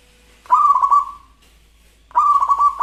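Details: Local zebra dove, a perkutut lokal in full song with a crystal-clear voice, gives two soft cooing phrases about one and a half seconds apart, each a burst of rapid beaded notes trailing into a drawn-out tone.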